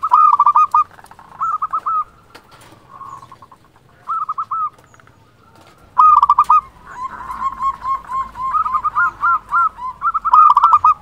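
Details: A big-voiced local zebra dove, kept as a lure to make other doves reply, utters repeated bursts of fast staccato coos, some short phrases and a longer rolling series near the end, all loud and clear.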